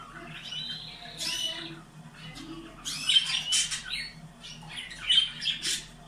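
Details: Caged canaries, sound aimed at breeding stimulation: harsh buzzy squawking phrases and short rough trills in irregular bursts, with quieter gaps between.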